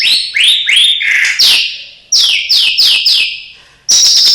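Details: Murai batu, or white-rumped shama, kept by the recorder, with an isian song mimicking cililin, sparrow, lovebird and canary: a run of loud, repeated downward-slurred whistles about every third of a second, then a pause and one sharp high note.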